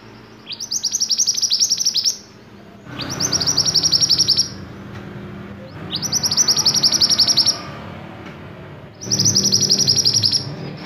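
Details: White-eye in full, lively song, used as a tutor recording for songbirds: very high, rapid trilled bursts of about one and a half seconds, repeated four times with short pauses, over low rumbling background noise.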